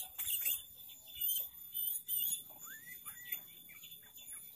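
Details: Varied, lively sooty-headed bulbul song played as a lure for trapping: a few rising whistled notes and short slurred phrases amid faint high chirps and hiss.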